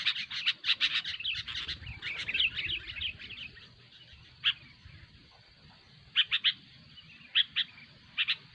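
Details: Sooty-headed bulbuls in a noisy bout kept to lure birds: a busy flurry of scratchy chatter that thins out into isolated sharp notes and short doubled bursts spaced a second or more apart.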